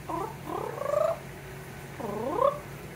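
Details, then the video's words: Parrot kept on a screened porch in Florida trilling to imitate its owner: warbling sliding notes, a sustained wavering trill, then a swooping rising phrase. "Sings a Smidge & Trills to Imitate Me"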